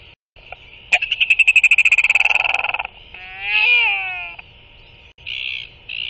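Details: Royal albatross at the nest, female brooding and preening her chick before regurgitating a feeding, non-breeders nearby socializing: a burst of rapid, nasal pulsed calls about four a second, then a wavering, harmonic moan, over a steady high-pitched whine.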